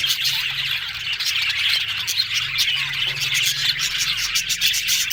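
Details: A group of budgerigars twitters and warbles nonstop in high scratchy notes, over a low steady background hum.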